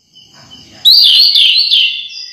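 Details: Home-kept orange-headed thrush singing one brief loud phrase, a rich warbled whistle that wavers and then fades, used to stir other thrushes into singing.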